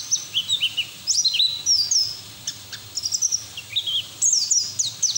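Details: Bursts of high chirps and short looping whistles from a white-eye singing with its bill open, used as coaxing audio for untrained white-eyes, with brief quiet gaps and light background hiss.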